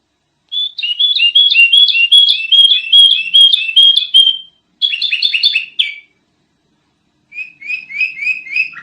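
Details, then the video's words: Sooty-headed bulbul in a loud training recording: a long fast run of alternating whistled notes, a short buzzy phrase, silence, then softer repeated slurred notes. "Kicau Kutilang Masteran Edan Brisik Banget"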